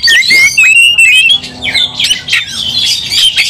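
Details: An Oriental magpie-robin (kacer) pours out loud, rich whistles mixed with harsh, scratchy notes in fast, varied phrases, an agitated fighting song as it is roused to fight.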